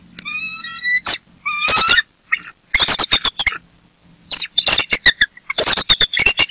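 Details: Bald eagle pair at their nest at Berry College with crouching eaglets, male and female calling in alarm at an intruder chasing a fish head; loud, high, shrill piping notes come in rapid stuttering bursts separated by brief silences.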